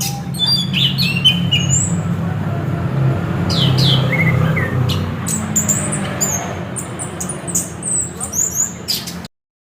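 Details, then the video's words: Orange-headed thrush delivering a long, varied sequence of shrill whistled notes, trills and sharp chirps, with a continuous low hum underneath before the sound cuts off. "Ternyata begini suara burung anis kembang"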